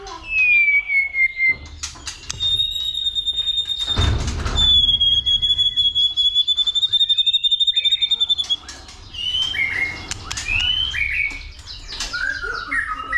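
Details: Caged white-rumped shama in fighting song, stimulated by a female: a long high whistled note held several seconds over rapid ticking clicks, then varied slurred whistles and chatter.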